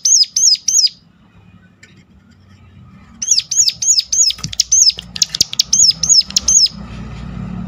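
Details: Sunda warbler's sharp lure call to make other warblers sing: three high hooked notes, a pause, then a longer rapid string of repeated piercing notes over low background noise.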